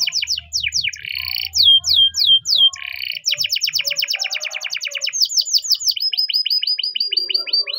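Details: A Spanish timbrado canary gives a morning training song: chirped notes, a few loud separated descending whistles, then long quick rolling trills of repeated notes at steady pace; faint low rumble early.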